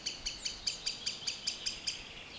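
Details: Green sandpiper met in a forest, giving a steady run of about ten sharp, high ticking notes, roughly five per second, with little else heard.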